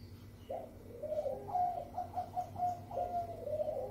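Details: Zebra dove of the Bangkok type giving a melodious lure song meant to set other doves singing: a soft rising coo followed by a run of short, even coos and a drawn-out final note, recorded fairly faintly over a low steady hum.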